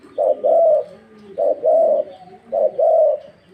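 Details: Spotted dove of the Thai 'vân rồng' type, described as singing very vigorously: low hollow coos repeated three times, each phrase a short note followed by a longer drawn-out one, about one phrase every 1.2 seconds.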